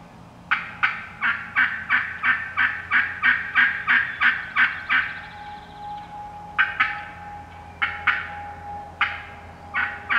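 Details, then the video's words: Wild turkey hens cutting and yelping in the woods, one strutting as she approaches: a long rapid run of about fourteen harsh yelps, then irregular sharp cuts, with a faint steady tone in the background. "Wild Turkey Hens Cutting Yelping and Calling"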